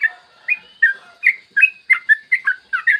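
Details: Yellow-vented bulbul sings a clear, long-running morning song meant to stimulate other bulbuls: a steady string of rich, fluty, slurred notes, one roughly every third of a second, with no other sounds.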